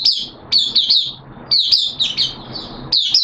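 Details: Caged oriental white-eye singing on 13 September 2022, the second day of a deworming course: loud, sweet, high warbled phrases of quick descending notes, each phrase roughly a second long.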